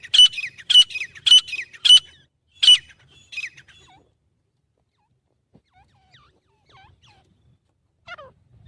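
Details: Grey francolin (teetar) in Pakistan, a call given mostly at morning or evening to proclaim territory: six loud, harsh, high notes repeated about twice a second, then faint scattered chirps trailing off into near silence.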